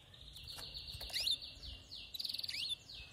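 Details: Quieter, more distant passage of male canary singing: a steady buzzy trill with sliding notes, a short twittered flourish, then a fast pulsing roll, over a faint background hiss.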